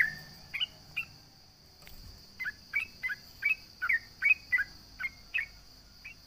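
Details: Sooty-headed bulbul (trucukan) singing to challenge a rival: after two opening chirps and a short pause, a quick series of crisp, clipped chirps repeats steadily, with a faint continuous high whine throughout.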